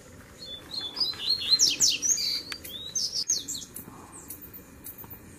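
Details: Double-collared seedeater singing in a blend of Tui Tui, Zel Zel and Mateiro styles meant to warm up other birds: lively, high-pitched bursts of quick slurred whistles and sharp chips, loudest early, then thinning out over soft background hiss.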